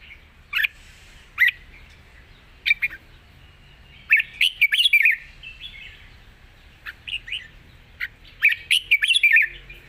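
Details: Red-whiskered bulbul with a soft, easy-singing voice delivering a long song with 'rik' notes: bright warbled phrases in short bursts separated by pauses, with sharp clicking ticks between.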